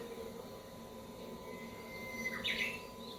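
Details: Japanese bush warbler indoors, a wild bird that entered the home after recorded song was played: one faint song, a drawn-out even whistle ending in a quick burst, heard under steady room noise.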